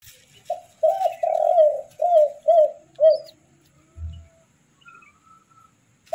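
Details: Baby spotted doves being hand-fed: a burst of short, wavering mid-pitched whistles repeated about twice a second, then quiet with faint high chirps.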